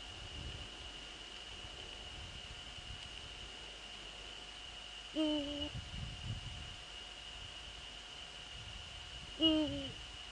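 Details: Two Eurasian eagle-owl calls about four seconds apart, recorded in the Netherlands at 04:40 on 15 February 2013 as a male visits a female: short, deep, harmonic and slightly falling, with low rumbling background and steady hum.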